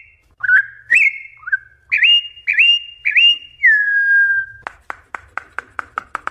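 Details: Campo troupial (Icterus icterus) wild song: loud, rich whistled notes, some rising and some slurring downward, then a quick run of sharp clicking chips near the end.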